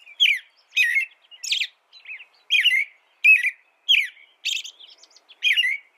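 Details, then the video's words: American robin song of about ten quick caroling phrases, slurred up and down whistles with high squeaky overtones, delivered in a steady run with short gaps between them. "American Robin Bird Sound, Bird Song"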